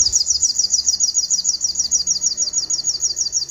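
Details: Crimson sunbird singing a master song for training other birds: a steady, very high, fast trill of sharp repeated notes, about three per second, thin and sibilant, unbroken throughout over quiet background.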